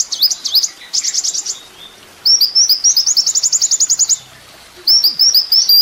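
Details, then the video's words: Kolibri ninja sunbird, recorded as master song for tutoring cage songbirds, gives very high twittering: wavy notes, then a fast buzzy trill, a pause, and a long rapid series of clipped chirps. "masteran mewah full isian kolibri ninja bikin burung emosi"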